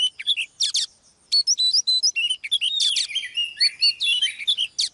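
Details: Female Oriental magpie-robin, kept for training, singing to spur a male into heated song: loud bursts of high whistles, rapid chatters and trills, with a brief pause before a dense, tumbling run of notes.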